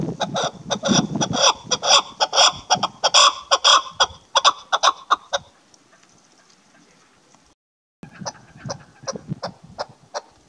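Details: Female chukar partridge recorded in the hunting season: quick series of harsh, clucking chuck notes over a low rumble, fading out, a brief silent gap, then softer repeated notes resume.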